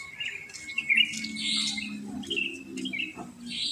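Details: Morning chorus of wild sooty-headed bulbuls after dawn in a residential neighbourhood full of them. Chattering, bubbly phrases repeat over a steady low hum.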